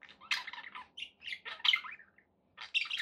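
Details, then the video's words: Pet budgerigars chirping indoors: short scratchy squawks and chatter in bursts, broken by brief pauses and a gap near the end. "9 hours of budgie sounds to keep your pets in happy bird company"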